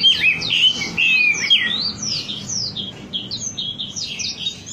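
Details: Trigger recording of wambi song for caged birds: rapid slurred whistles at first, then a quick run of high chirping notes that fades slightly, with faint background murmur.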